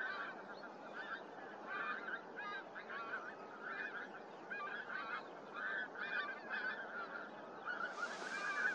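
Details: A flock of pink-footed geese at Starene in 2023 gives a steady chorus of overlapping, high, nasal honks and yelping 'wink-wink' calls, with a brief rush of noise near the end.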